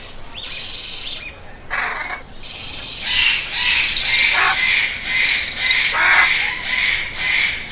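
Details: Parrots calling in a rapid series of grating, rhythmic squawks about twice a second, building after a few isolated harsh screeches at the start.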